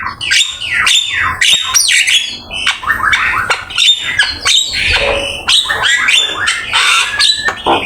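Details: A Javan myna delivers a busy master song with full isian fills. Loud descending whistled slurs, squawky notes and scratchy chatter come in quick succession, recorded with Open Camera.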